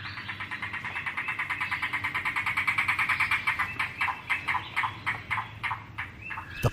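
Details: Yellow-billed Cuckoo ("rain crow", long taken as a sign of rain in the American Midwest) of open woodlands and riparian areas gives a fast, hollow, wooden rattle, about three notes per second, slowing into spaced gulping notes, ending with a sharp click.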